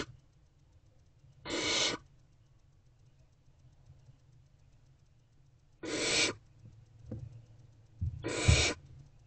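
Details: Three rasping hisses, several seconds apart, come from hungry barn owl owlets in a nest box waiting for their mother, with a soft click between and a low rumble underneath.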